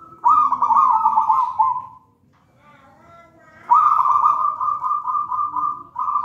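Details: Zebra dove of local wild stock, from a raja banana plant nest, delivers long trilling coos, one phrase, a quiet pause, then a second sustained rolling phrase, kept as a model for birds that do not yet sing.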